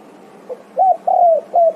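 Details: Calling to companions, a spotted dove (tekukur) gives a faint opening note, then three low hooting coos, the middle one stretched and sliding downward; otherwise quiet.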